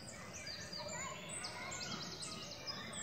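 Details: Eurasian nuthatch young, nearly ready to fledge, recorded 28 May 2018 at La Poudrerie; repeated high, sharp descending notes in quick bursts across the clip over steady background noise and faint voices.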